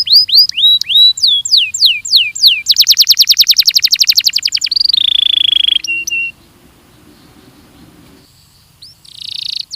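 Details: Belgian canary song played for training: sweeping downslurred whistles, then a fast buzzy trill of repeated notes, a steady tone and a flat whistled note, ending after a pause with a short burst.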